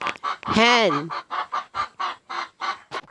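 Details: Farm hen clucking: a loud drawn-out rising-then-falling squawk opens, followed by a regular series of short, buzzy clucks about every quarter second, with a sharp click near the end.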